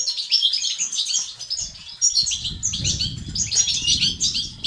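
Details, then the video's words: Singing male European goldfinch, betbeta and sestasat styles meant to encourage other males to sing: dense, high tinkling twitter throughout, with a rumbling low noise, perhaps fluttering, growing from two seconds on. "بتبتة وستستات للتحفيز الدكور الحسون وتساعده في زيادة النشاط وتحفيزهم على تغريد وعلاج صمت حسون"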